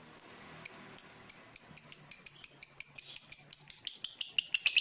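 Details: Fighter lovebird giving ngetik ticking before a long ngekek, meant to provoke rival birds to sing: sharp high clicks that start spaced, then speed up into a dense, even series.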